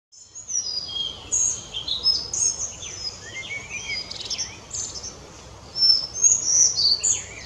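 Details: Collared flycatcher in a forest near Malemnovice on 23 May 2015, singing high, thin, squeaky phrases of rising and falling notes, delivered rapidly and irregularly, with faint background hiss.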